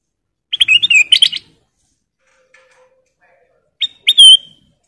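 Ruby-throated bulbul giving two short bursts of bright, liquid whistled notes, a chattering phrase then a clear rising whistle a few seconds later.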